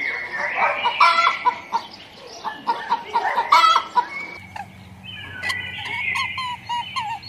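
Chickens cluck in quick, uneven bursts of short, throaty notes, with a few higher squawks.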